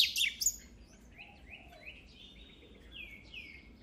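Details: Oriental magpie-robin singing: a burst of sharp high chirps, then a quieter series of short slurred whistles and rising and falling notes against faint background hiss.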